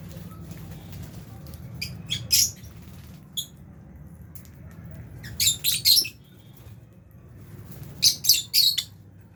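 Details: Albino and Fisher's lovebirds in an aviary colony with budgies, feeding; short, shrill, high chirps come in three bursts, clustered squeaky notes separated by pauses over a low steady hum.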